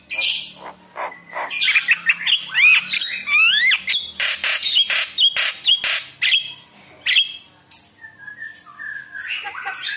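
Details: Javan myna full song used to get other mynas singing: dense run of harsh chatter, sweeping whistles and clipped notes, fading into softer scattered calls at the end.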